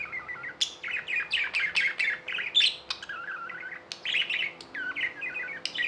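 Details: Chirping from tame pet budgies, busy warbling chatter of quick buzzy notes, sharp high clicks and short trilled runs, nearly continuous, over a faint hum.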